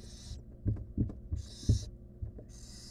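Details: A wild barn owl chick in a nest box, attempting to swallow a stolen rodent alone, makes three harsh snoring hisses, with dull thuds and scraping between them.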